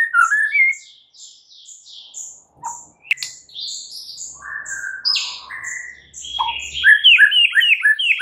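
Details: Morning song of a White-rumped shama: varied whistled slurs and warbles building into a fast, loud run of rising notes at the end. High repeated ticks and a brief low hum are also heard.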